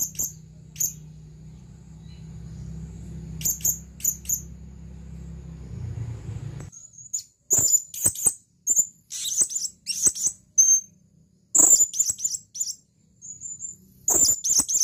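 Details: Male blue-crowned hanging parrot calling to a female: very high, thin sharp chips near the top of the range, scattered singly and in short bursts, with a faint high whistle line and a low hum in the first half.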